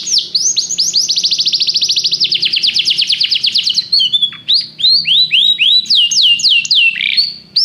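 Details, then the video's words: Canary performing a training song: a long rolling trill of rapid repeated notes lasting about four seconds, followed by varied rising and falling whistled slurs and a brief buzzy note, over a faint low hum. "treinamento canário - seu canário cantará muito se ouvir isso"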